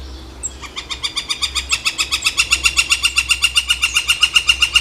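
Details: Northern Flicker, a fairly large woodpecker, recorded in Seattle, Washington: a long, steady series of loud, ringing notes at an even pitch, about six per second, growing slightly louder over several seconds, with a faint low hum beneath.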